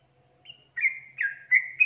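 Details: 'Ropel panjang' long-trill song of the yellow-vented bulbul, meant for training songbirds: a soft high note, then three loud rich warbled phrases, the last rising higher, on a quiet background.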